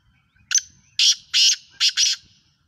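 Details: Black francolin, known locally in Sindhi as kala tetar, in Pakistan: a harsh, grating call of five rasping notes, a short sharp first note, then two longer ones and a quick closing pair, over quiet surroundings.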